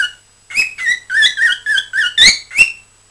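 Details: Cockatiel kept as a pet, chattering on 20 December 2007; after a single opening note, a quick run of about eight bubbly, squeaky chirps follows, each slightly wavering, ending on a brighter upward note.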